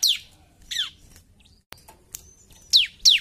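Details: Bar-winged prinia giving spaced, high, steeply descending whistled notes, with a pair at the start, a lone click, and two loud slurred notes to close, over a quiet background.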